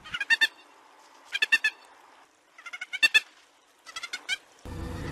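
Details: Peruvian thick-knee near Lima, whose laugh-like song people hear in the fields at night, giving loud, harsh bursts of rapidly stuttered notes. Four bursts come about a second apart, and a wash of noise cuts in at the end.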